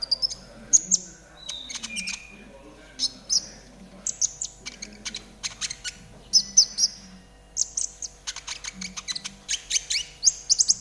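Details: Trotol konin master song for caged birds: lively sequences of high whistles, buzzy notes and rapid ticking, coming in bursts separated by short pauses, over a low hum.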